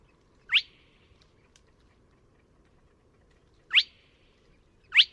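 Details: Spotted crake at Neda, A Coruña, March 2017, giving three short upward-sweeping whistled notes: one early, then a three-second gap before two more in quick succession, against quiet low rumble.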